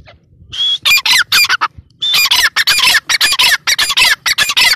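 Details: Partridge calling: loud, harsh, rapidly repeated grating notes in bursts, with an opening whistled note, separated by brief pauses.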